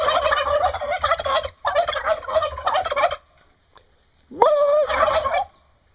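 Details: Turkeys in Brazil give three rapid, rattling gobbles, each a quivering, fast-warbled burst lasting about a second, with a short pause before the last one.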